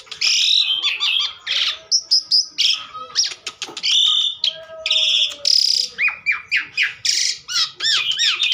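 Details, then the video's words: Energetic Asian pied starling song packed with scratchy buzzes, sharp clicks and fluty whistles, ending in a run of repeated curved upslurred notes, almost without pause. "burung jalak suren super gacor"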